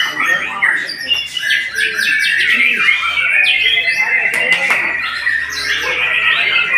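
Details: A white-rumped shama sings rapidly, stringing bright whistles, buzzy chatters and abrupt clicks into one long, restless phrase.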